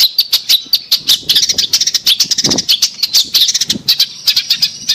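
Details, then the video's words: Long-tailed shrike (cendet) lure song for a bird that has fallen silent: a fast, unbroken stream of harsh high chattering and scratchy chips, with a couple of lower noisy thuds mixed in. "Pancingan Cendet Macet Bunyi"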